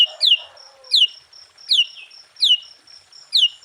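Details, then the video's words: Sooty-headed bulbul song meant to provoke other bulbuls. Short, clear notes slide downward and repeat about every three-quarters of a second over a steady, thin high tone. "Suara Burung Kutilang Gacor KUTILANG FULL ISIAN Ampuh untuk menaikkan Mental EMOSI Kutilang Lain."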